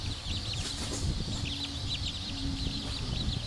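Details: High, slightly downslurred peeps from many black Cochin bantam chicks calling at once, over low-pitched background rumble and a faint steady tone.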